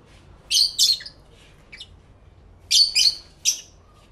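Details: Lovebirds calling to one another, recorded live with a camera and two external microphones: paired shrill chirps, a faint soft note, then another quick pair and a final sharp chirp.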